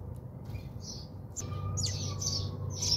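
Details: A few bright chirps, then a quicker burst, from house sparrows bathing at a home in South Africa, with rustling and a low background drone.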